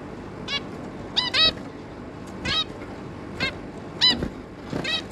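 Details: Three juvenile zebra finches with their adult pair, 11 May 2022: well-spaced single and paired nasal honks, each short and harmonically rich, separated by brief quiet gaps above a faint hum.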